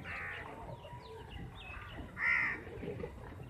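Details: Crows, around fifty, fighting over chapati; scattered faint calls lead to one clear, loud harsh caw near the end, with background murmur throughout.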